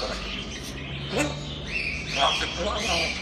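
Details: Playful talking grey parrot kept as a pet, producing speech-like mumbling phrases with harsh squawky notes and a rising whistled sweep near the end, in a quiet room.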